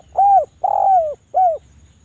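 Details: Dense, sharp cooing from a Javan turtle dove meant to draw out silent doves: three mellow arched notes, the middle one long and sliding downward, the outer two short.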